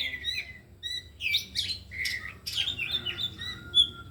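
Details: Afternoon practice by four oriental magpie-robins, all in song and unloading their learned material. Separate clear whistles lead into loud scratchy bursts and a long falling whistle, over a quiet low hum.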